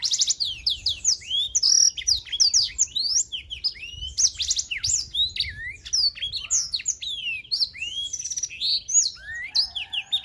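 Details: Blackthroat, the black-throated canary, in an unbroken 'super gacor' song lasting ten seconds: dense, fast sequences of high chirps, slurred whistles and buzzy bursts, varied and continuous with no gaps.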